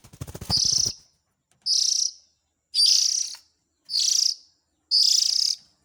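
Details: Lure recording of Oriental magpie-robin chicks aimed at parent birds. Low knocking thuds open the clip, then five rough, buzzy hisses follow, spaced about a second apart.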